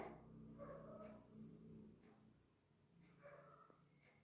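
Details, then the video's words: An African grey parrot talking in Tamil: two short, voice-like phrases with a soft, throaty quality, separated by a brief pause, over a faint background hum. "African grey Parrot clear Talking Tamil"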